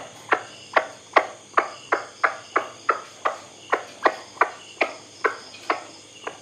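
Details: White-breasted waterhen, recording meant to be played at night to attract birds: a fast series of abrupt, percussive notes about every 0.4 seconds, fairly regular, with a faint constant background hum.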